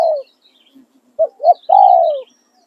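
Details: A decoy spotted dove's calling song. The tail of one long coo, a pause, then two quick hoarse notes and a sustained coo that drops at the end. Thin high chirping from small birds in the background.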